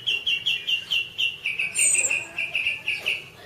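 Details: Orange-banded thrush as masteran: a steady series of short, even whistled notes, about four per second, with a brief higher twitter midway and a noticeable background hiss.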